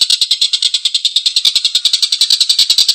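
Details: Rough, rasping kek-kek series from a collared kingfisher, each short high note following closely on the last in an unbroken rattling laugh.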